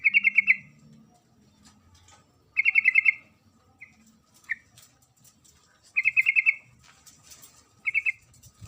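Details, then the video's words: Female sooty-headed bulbul calling its mate with several chattering bursts of rapid notes, separated by pauses of two to three seconds, with a few isolated short notes between. "suara panggilan trucuk betina memanggil jantan"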